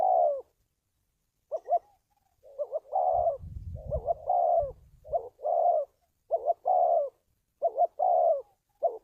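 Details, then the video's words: Spotted dove call meant for training decoys and luring birds: doubled notes and longer falling coos repeated, while a low rumbling handling noise passes under the middle of the series. "tiếng chim cu gáy luyện mồi kích bổi"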